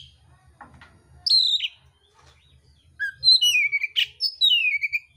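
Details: Oriental magpie-robin (kacer mintal) in fighting mode with a rough-filled song: after a faint scratchy start, a loud downslurred whistle, then a busy run of sliding whistles and sharp notes, ending on a long falling whistle over a low hum.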